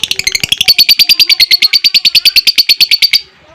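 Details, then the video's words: Fighter lovebird giving a long ngekek trill meant to prompt other lovebirds to sing: a fast, even chatter of sharp high pulses, about three per second's tenth, running steadily for three seconds before stopping abruptly. "LOVEBIRD NGEKEK PANJANG DAN GACOR,Dengan Suara Fighter Ngetik,Ngekek Panjang"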